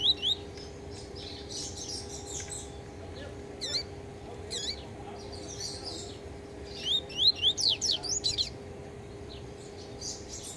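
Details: Yellow-bellied seedeater still recovering from beak moult gives scattered chirps, then a fast run of bright rising whistled notes near the end, against a constant low electrical hum.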